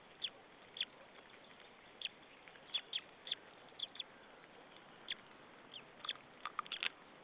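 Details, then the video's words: Nestling white-tailed eagle at Saunja, Estonia, 26 April 2013, mid-afternoon, chirping before a feeding: sharp high-pitched peeps in irregular bursts, often in pairs or short runs, against a constant background hiss. "the baby tjirping"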